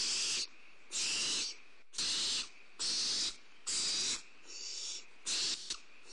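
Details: Barn owl owlets at Starr Ranch, recorded by a nest camera on 2011-04-02 during a prey drop: rapid, harsh hissing screeches in a run of about seven, roughly one per second, some overlapping into continuous rasping.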